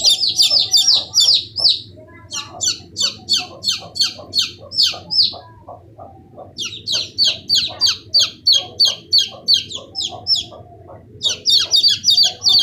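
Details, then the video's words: Chicks of domestic chicken peeping: loud high-pitched downslurred peeps in rapid runs of about three per second, broken by short pauses, with faint low background rumble. "so cutey chicks | chicken babies sounds effect"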